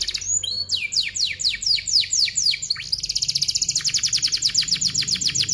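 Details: Song of a canary offered as a lure for young canaries learning to sing: a run of about ten downward-sliding chirps, then a very rapid, tightly packed high trill that continues to the end.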